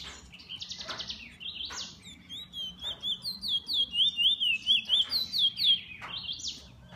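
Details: Pet bullfinch starts with a few buzzy, harsh notes, then delivers a rapid rhythmic row of looping whistles, about three per second, ending on a strong upward note.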